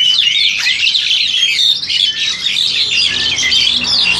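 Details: Seven-to-eight-month-old captive Crested Myna from an Indonesian breeding setup, recorded with an old Samsung mobile: busy, overlapping high chirps and thin whistles forming an unbroken twittering stream.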